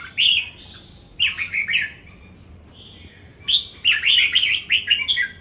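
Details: Caged red-whiskered bulbul from Đồng Nai singing in a song competition: bursts of bright, warbling, chirpy notes at 0.2, 1.2 and 3.5 seconds, with a soft level whistle between bursts.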